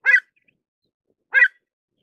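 Pied avocet giving two short, loud, clipped notes about 1.3 seconds apart, ringing and slightly harsh, with silence between.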